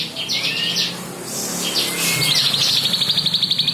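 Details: Bar-winged prinia singing, used to tutor other cage songbirds: scratchy high bursts and a rising slurred whistle, followed by a rapid, evenly spaced trill of sharp notes.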